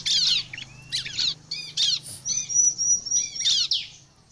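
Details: Bar-winged prinia lure song to attract other prinias: spaced bursts of scratchy high notes and downslurred chirps, with a thin level whistle in the middle, over a faint low hum.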